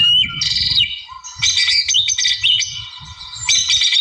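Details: White-rumped shama, wild-type bird, singing to provoke a rival: high, harsh chattering bursts mixed with sharp whistles, loud phrases separated by a brief pause, faint low background thumps.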